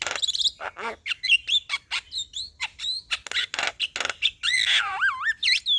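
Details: Song of a male Javan myna used to rouse a reluctant myna: rapid varied chatter of short clipped notes and squeaks, ending in loud warbling, swooping whistles.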